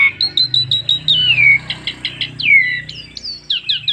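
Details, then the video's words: Asian pied starling singing as a lure for other starlings: a long descending whistle among evenly spaced short chirps, then another falling slur and quick upward notes, over a soft low hum. "BURUNG JALAK SUREN NEMBAK FULL ISIAN PANDAI PANCING JALAK SUREN JADI GACOR"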